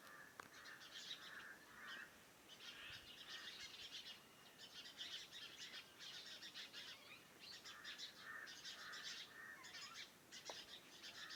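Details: A morning bird chorus around a farmhouse, with continuous high chirping and trilling mixed with repeated mid-pitched whistled notes and a couple of faint clicks.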